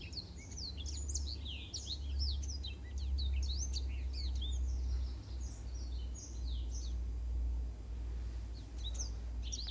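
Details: Black-throated canary singing a training model for canaries, rapid high swept whistles and chips repeated in a rush, over a loud low rumbling hum that rises and falls.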